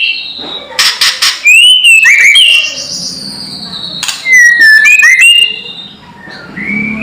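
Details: White-rumped shama in a loud kretekan lure to stir rival birds: rapid clusters of crackling clicks, then clear whistled notes that swoop down and up, with repeated phrases and a quieter whistle trailing off.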